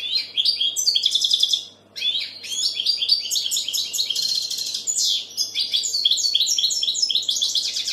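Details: Continuous, bubbling European goldfinch song of liquid chirps, trills and buzzy twitters, pausing briefly near two seconds before resuming steadily.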